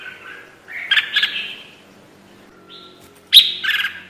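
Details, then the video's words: Red-whiskered bulbul trapping lure call: chattering, slightly harsh whistled phrases in two bursts separated by a quieter gap, over a faint steady background hum and a thin level tone. "PIKAT SUARA BURUNG KUTILANG JAMBUL"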